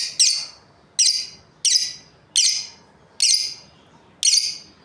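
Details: Australian lovebirds, a breeding pair, giving loud, high, harsh chirps repeated about once per second, six evenly spaced bursts, each a brief buzzy note fading quickly over a quiet low hum.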